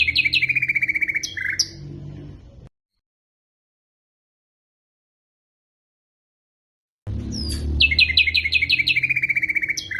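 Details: Common nightingale song, phrases selected for teaching canaries and their hybrids: bright high notes repeated in rapid pulses with a sharp whistled flourish, a silent gap, then a fast rattling series of high stacked notes, with low hum underneath.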